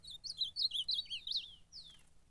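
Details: Ultramarine grosbeak (azulão) in a fighting contest (campeada), delivering a quick run of bright looping whistled notes that fade into one long descending slurred whistle.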